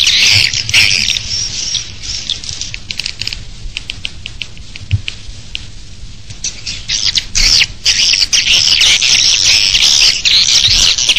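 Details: Swiftlet nest-house external sound: a dense, continuous chorus of high, rapid twittering chirps from many swiftlets, with a brief quieter stretch in the middle.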